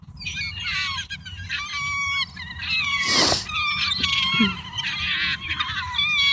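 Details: A flock of wild gulls feeding on a pile of food, including pizza and leftovers, gives overlapping high, squealing, mewing calls in a constant chorus, with a brief burst of noise partway through.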